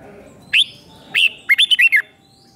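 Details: Doubled five-syllable song of a red-whiskered bulbul from Thailand, played to train young birds: two separate rising notes, then five quick, bright, slurred syllables in a tight burst.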